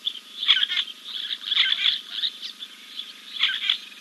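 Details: Giant kingfisher at King's Camp, 2 April 2024, preening after a dip; three groups of rough, grating notes, each lasting under half a second, over a faint constant high-pitched hum.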